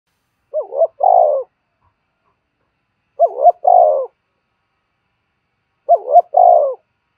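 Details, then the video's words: Spotted dove calling, used to stimulate newly caught doves and train decoy birds for trapping: three phrases about 2.7 seconds apart, each a quick rising double coo followed by a longer, burry, falling croo, in silence. "tiếng chim cu gáy kích bổi nhanh nổi và tập mồi hiệu quả mỗi ngày"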